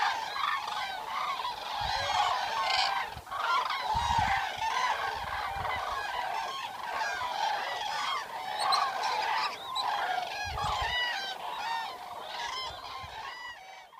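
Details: Eurasian cranes in the wild, recorded over a night outdoors: a busy flock chorus of rapid, overlapping trumpeting honks, roughly ninety notes a minute, with bursts of higher calls and occasional low rumbles.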